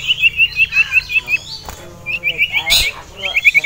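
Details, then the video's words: Caged male common iora excited by a rival and a female, producing fast repeated chip-like whistles in short bursts, separated by a quieter pause and a brief burst of noise. "CIPOW Ngamuk Melihat SIRTU JANTAN Dan Betina"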